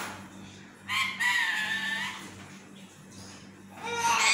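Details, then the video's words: Pet parrot sleep-talking while wanting to nap: a drawn-out raspy harmonic phrase, a quiet pause, then a rising final syllable growing louder. "talking in his sleep"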